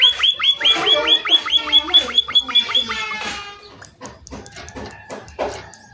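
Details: A munia lure call meant to start other munias answering: about three seconds of rapid high chirps, then scattered clicks and rustling noise.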